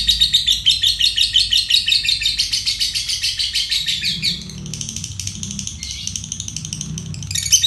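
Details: Fighter lovebird ngekek, a long trill used to tutor other songbirds: four seconds of loud, rapid, shrill chattering pulses, then a softer, fainter high twittering continues over a low background hum.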